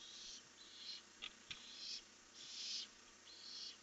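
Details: Night recording from a barn owl nest camera, 1 July 2015, with the owls leaving for the night: a run of four or five hoarse, hissing screeches in quick, uneven succession, broken by a couple of sharp clicks.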